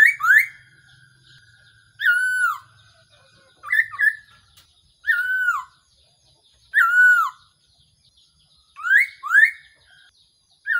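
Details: Decoy call of the Black-throated laughingthrush for trapping: loud downslurred and upslurred whistles, single or paired, repeated roughly every one to two seconds with quiet gaps.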